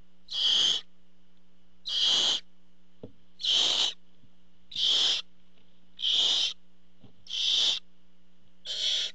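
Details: Barn owls at the nest as the male parent brings food, recorded by a nest camera. Seven evenly spaced, breathy hissing screeches repeat roughly every 1.3 seconds against a faint constant hum.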